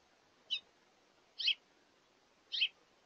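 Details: At a feeder, a hungry house finch repeats a sharp, slurred chirp three times, roughly once a second, with nothing else audible behind it.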